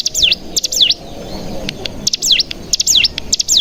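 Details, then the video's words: Cigun call with natural bren sounds, played as a decoy to set other cigun singing: quick bursts of buzzy, zigzagging down-and-up chirps in clusters, separated by short pauses, with faint clicks. "Pancingan Cigun Bahan Agar Bunyi Langsung Ngebren"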